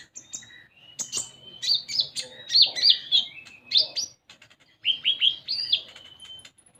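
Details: Varied common iora song played as a lure to make an untrained konin sing: a long thin level whistle, then rising and falling warbled notes, sharp clicks and a final drawn-out whistle.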